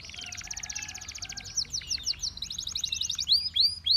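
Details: Canary song that tempts other canaries to sing. A fast, slightly buzzy trill gives way to quick twisting slurs and bright upward-curving whistles, set against a low background rumble.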